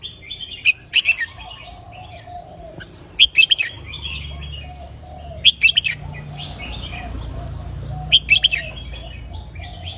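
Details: Cage-kept red-whiskered bulbul in phrase-counting song, repeating short rollicking whistled bursts roughly every two to three seconds, four clear phrases over a constant low hum.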